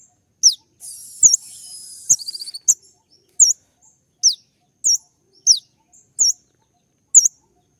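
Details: A kolibri ninja sunbird in sharp 'tembakan' song: it opens with a buzzy rattle and a short trill, then gives a string of piercing high chirps spaced about half a second apart.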